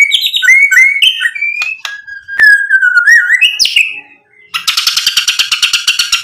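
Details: White-rumped shama, Medan type, singing a lure song to rouse rival males: slurred whistles and liquid warbles with one drawn-out falling whistle, a short pause, then a harsh fast rattling burst of mimicked material.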